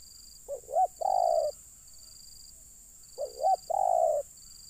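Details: During a luring session for wild birds, a spotted dove gives two phrases, each a quick wavy rising-falling note and then a drawn-out steady coo. A thin high tone keeps switching on and off behind it.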